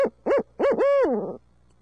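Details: Close, loud barred owl in Midtown Tulsa, from a long hooting bout with monkey calls: three fast hoots run into a long, arched, wavering cry that falls away, over a low hum.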